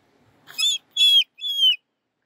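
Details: Moluccan cockatoo out on a walk, greeting people: three loud, harsh, ringing notes, each about a quarter second long, with short pauses between them, and brief human speech around them.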